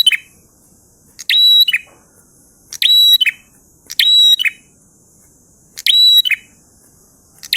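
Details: Prinia singing energetically in the drawn-out 'ngalun' style: loud, sharp bursts of clipped chips, each ending with a short high whistled note, repeated in separate phrases about every one and a half seconds against a quiet background.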